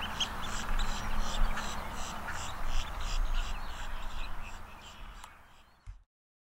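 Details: Long-billed dowitchers filmed up close at the Celery Fields in Sarasota, Florida, uttering a fast, fairly even chatter of short high notes, roughly three or four per second, over low rumbling noise before an abrupt cutoff.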